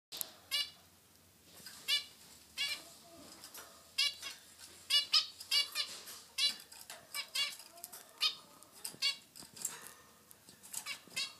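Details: Two pet zebra finches, a male and a female, tweeting back and forth: short nasal honking notes with stacked harmonics, given singly or in quick pairs every half second to a second, with brief soft rustles between.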